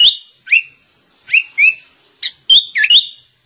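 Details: A sooty-headed bulbul sings a song mimicking the white-rumped shama, with spaced, rising whistles and a final cluster of bright, fast-turning notes.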